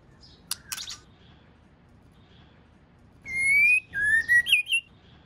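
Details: Female White-rumped shama with a call to stimulate males: sharp clicks, then a sustained rising whistle, followed by a lower whistled note and a quick high flourish.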